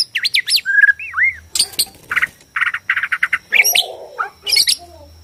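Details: White-rumped shama of Borneo, song played to goad shamas into singing and fighting: high looping whistles, a smooth slurred phrase, then harsh rattling bursts and sharp high flourishes.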